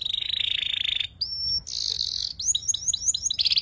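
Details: Young canary still learning to sing in ngeriwik style, used to tutor magpie-robins and shamas: a steady buzzing trill, a pure level whistle, a noisy burst, then a quick series of upturned chirps and a final rattle.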